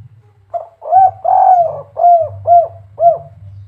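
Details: One clear cooing phrase from a spotted dove of the kuk 3 song style, Semarang, Indonesia: a brief lead-in coo, a prolonged quavering coo, then short downward-bending kuk notes about half a second apart, over a faint low hum.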